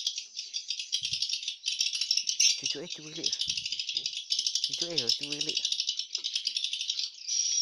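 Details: Inside the hatching room of a swiftlet house, a dense, unbroken wash of high chirps and rattling clicks from many swiftlets at once, with brief human speech in the middle.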